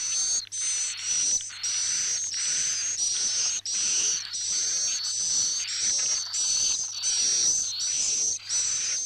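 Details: Swiftlet roosting lure call used by swiftlet farmers to get the birds to stay overnight: dense, buzzy, very high chirps in bursts of about half a second, each topped by a thin whistle. A constant low hum runs underneath.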